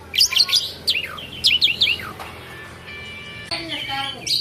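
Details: Caged black-and-white Asian pied starling in continuous song, opening with quick falling whistled slurs repeated in pairs, then held tones and scratchy rasping notes.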